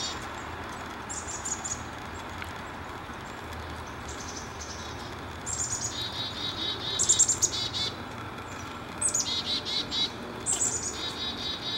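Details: Chickadees calling while mobbing a hawk, likely a Cooper's Hawk, near the end of a mobbing session; bursts of thin, high, rapid notes come in clusters from the middle onward over a steady grinding camera hum and faint outdoor background.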